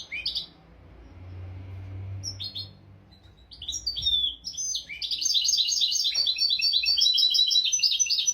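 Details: European goldfinch tutor song used to train goldfinches and canaries: a couple of short chirps over low hum, then from about five seconds a loud, fast, continuous twittering with trilled and buzzy notes.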